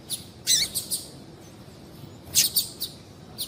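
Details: Female double-collared seedeater calls for stirring males to sing: two clusters of sharp, high chirps, each a loud note followed by softer quick echoes, with a faint hiss in the background.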